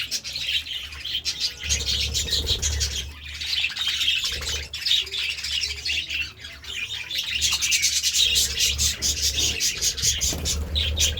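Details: Budgerigars eating seeds and vegetables, giving dense, continuous high chirping chatter over scratchy pecking and rustling, with a low steady hum underneath.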